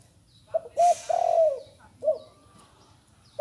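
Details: Young spotted dove recently starting to call: brief notes and a long, falling coo, with a short hissy noise at the start, then a single short coo and another beginning at the end.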